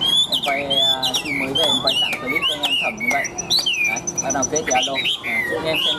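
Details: Newly arrived, tame caged Chinese hwamei in full, ringing song: a rapid stream of varied loud whistles, swooping slurs and sharp upward notes, with a thin steady high tone partway through and male voices talking.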